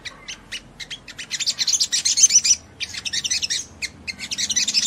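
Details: Olive-backed sunbird delivering an energetic ngleper song used to provoke rival sunbirds: a fast stream of thin, high twittering notes that builds into dense chattering runs with brief gaps.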